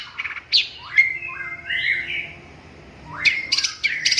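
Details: A long-tailed shrike sings sparse, drawn-out phrases: upward-sweeping whistles, a sustained wavering note, a quiet stretch, then a cluster of sharp rising notes and chips.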